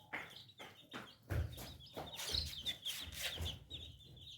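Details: Young chickens, newly hatched chicks, cheeping continuously in high rapid chirps, mixed with deeper clucks and scratching or handling thumps close to the recorder.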